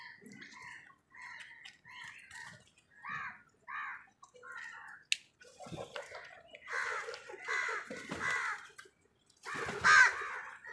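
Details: Crows squabbling over food give a series of short, clipped caws. The caws lengthen into louder, drawn-out harsh calls toward the end, with a sharp snap-like sound midway.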